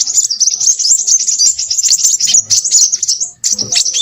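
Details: Crimson sunbird delivering a busy, shrill twitter of quick high notes and squeaky trills, with a brief pause before a last short burst.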